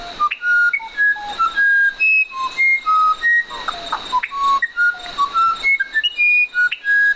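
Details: Musician wren song: a flowing series of flute-like whistles, each note steady and separate, stepping between low and high pitches in a melodious pattern over a constant faint high-pitched drone.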